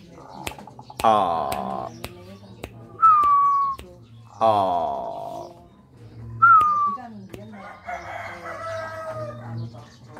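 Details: Tame pet zebra dove about a year old, raised by hand, singing a big bass song: two bright whistled notes falling slightly, between harsh broad bursts, with clicks and room sounds.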